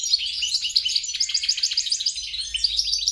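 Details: Hybrid goldfinch mule (Carduelis carduelis × caniceps) pours out quick tinkling notes, roughly three to four per second, mixed with metallic buzzes and clear high pips.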